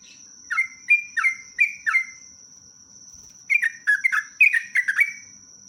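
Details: Sooty-headed bulbul in full, energetic song for a lure recording. A run of five clear, descending whistles is followed by a pause, then a faster, busier burst of slurred notes. A steady high whine sounds in the background.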